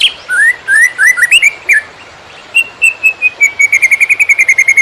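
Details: Greater green leafbird, konslet song for tutoring other birds: a few slurred upward whistles, a brief silence, then a lengthening chain of clear, evenly spaced whistled notes that speed up toward the end.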